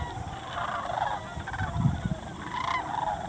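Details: Sandhill cranes feeding in winter farm fields in the river bottoms around Muscatatuck National Wildlife Refuge, southern Indiana; many overlapping rolling, trumpeting calls from a flock, layered through the clip over steady low rumbling wind noise.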